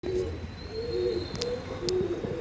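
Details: Domestic pigeons of the Andhra line breed cooing: low, soft, rolling coos repeated in a steady series, with a faint steady high hum and a few sharp clicks in the background.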